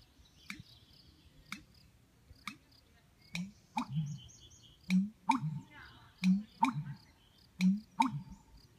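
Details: An American bittern at Pinto Lake gives its mating call while seeking a mate: deep, gulping, pumping notes in paired bursts about once a second, preceded by sharp clicks, with faint songbird calls behind.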